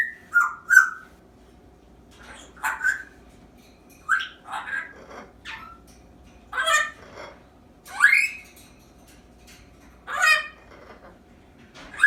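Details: An 8-month-old female African grey parrot practising sounds and words: about ten short, varied sounds spaced across the clip, including whistles, clicks, harsh squawks, dog-like whining and a squeaky-toy sound, against a faint steady hum.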